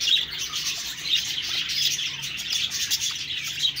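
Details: Constant high-pitched twittering from a group of budgerigars, overlapping warbles and short whistled chirps with no pauses.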